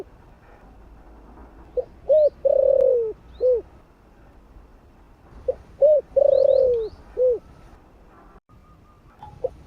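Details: Spotted dove calling in the morning, 'gáy gọi' style: two low, mellow cooing phrases about four seconds apart, each a quick lead-in note, a short coo, a long descending coo and a short end note, over faint background hiss.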